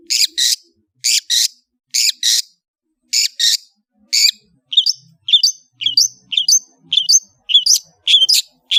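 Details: Long-tailed shrike singing: paired harsh rasping notes repeated about once a second, then a run of varied sharp chirps and short whistled upslurs at a quicker pace. The background is quiet.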